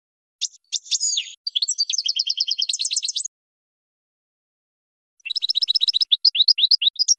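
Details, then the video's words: European goldfinch singing, recorded for training young birds: sharp high notes leading into a rapid buzzy trill, a pause of two seconds, then another fast twittering run of repeated chirps. "GOLDFINCH 12h New KING for Training Song"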